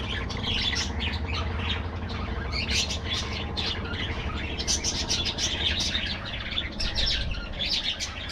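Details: Busy budgerigar aviary: an unbroken wash of chirps, warbles and sharp squeaks from many birds, with louder bursts every second or so and a persistent low hum underneath.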